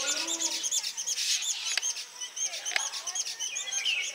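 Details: Several Baya weavers give dense, high chattering and wheezy chirps that overlap continuously, with a couple of sharp clicks, while a weaver builds its nest and courts a female.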